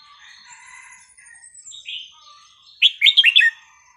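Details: Red-whiskered bulbul song phrase, sweet and varied, played to teach chicks: softer thin notes and chatter first, then a loud, quick sequence of bouncy liquid whistles near the end.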